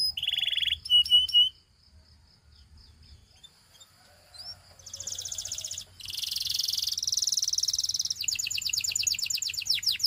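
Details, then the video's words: Canary singing: a short buzzy burst and a few sharp notes, a quiet pause with faint thin whistles, then loud rapid trills that build into a fast run of repeated clicking notes. "All Canaries Will Join in Singing When They Hear This Canary's Chirp"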